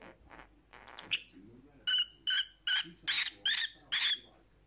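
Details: Lovebird calls for lonely parrots: after a soft, rustly start, six loud, shrill, evenly spaced chirps ring out at a steady quick beat, each one harsh and piercing.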